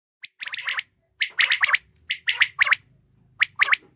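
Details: Female common quail calling in short clusters of raspy, gravelly notes, three to four notes per burst, the bursts about a second apart.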